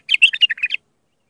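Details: Iraqi bulbul singing a raw Mandali-style song meant for tutoring young bulbuls: a single quick chattering phrase of about seven bubbly, warbled notes lasting under a second, then silence.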